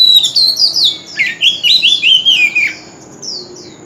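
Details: Continuous contest singing by a male Oriental magpie-robin in a wild-bird voice. Rapid string of loud, slurred whistled notes dipping and rising, about six per second, then two thin distant notes, with a constant faint high tone behind.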